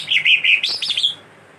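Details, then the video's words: Greater green leafbird, a caged singer in full chattering song with imitated phrases: a quick run of bright warbled notes, then a burst of rapid descending twitters ending in a thin whistle, all within little more than a second. "cicak hijau/cucak ijo gacor cerewet isian cililin & kastem"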